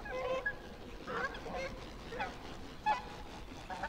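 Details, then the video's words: Canada geese in Yellowstone give a few short, nasal honks at irregular intervals over a low, steady background rumble; finding: Canada goose. "Canadian Goose Sounds"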